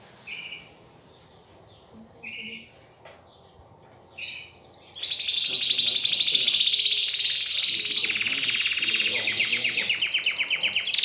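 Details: Domestic canary kept indoors and being taught to sing: a few scattered chirps, then a long loud high trill with rapid repeated notes that later shifts into a quicker buzzy rattle.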